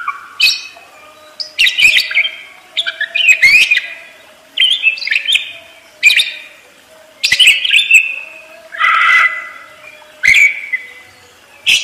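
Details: Caged parakeet delivering a long, busy song of rapid twittering, squeaky chirps and raspy warbled phrases, bursts coming roughly every second or two, over a faint constant low hum.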